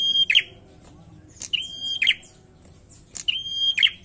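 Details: Bar-winged prinia singing steadily with three phrases about 1.7 seconds apart. Each has a sharp high note, an even whistle and a buzzy rasping close, with faint background murmur.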